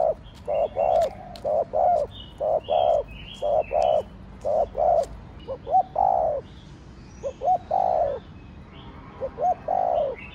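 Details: Fast-provoking Thổ Đồng coo of a spotted dove: repeated low, rounded coo notes in pairs through the stretch, some ending in a slight rising lilt, with twittering of other birds faintly above.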